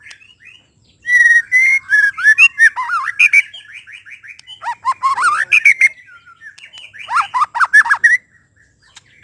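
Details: White-rumped shama in full song: fast, loud sequences of looping whistles and dipping slurred notes mixed with rasping buzzes, pausing briefly between bursts.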